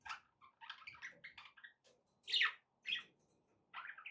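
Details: Pet budgerigars heard indoors: a short run of soft chirps and trills, then two louder harsh squawks and a final chattering phrase, with quiet gaps between.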